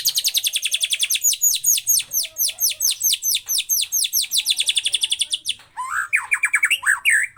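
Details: White-rumped shama, 'cess plengg' song meant to provoke other shamas into singing: a long rapid series of high, sharply downslurred repeated notes, about eight per second, ending in lower, varied whistled phrases.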